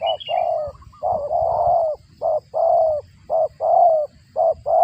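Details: Spotted dove calling while feeding its young: a steady run of low hoarse coos alternating between brief clipped notes and longer drawn, slightly falling notes, about one a second.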